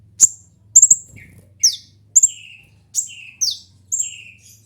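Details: Kolibri ninja sunbird singing a series of piercing high chirps, some sweeping downward, mixed with short lower slurred notes, spaced irregularly over a faint low hum.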